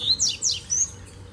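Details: Double-collared seedeater in a bamboo grove, heard as three quick high chirped notes, sharp and slurred downward, then a thin whistle, with steady low background hum.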